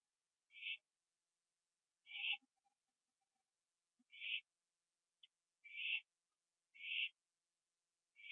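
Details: Late at night on 21 September 2011, an owl on a porch finishes a gopher. A series of seven short scratchy hissing bursts, irregularly spaced about one to two seconds apart, plus a few soft clicks.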